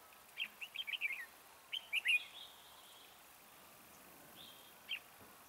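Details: Red-whiskered bulbul decoy at a trap. It gives two quick bursts of chirpy, warbled notes, then a long pause and one last short note.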